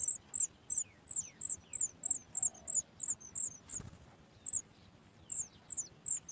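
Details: Baby Sooty chat at the nest, reacting to its mother bringing food with rapid, piercing high squeaks about three per second, a brief pause midway, then the squeaking resumes.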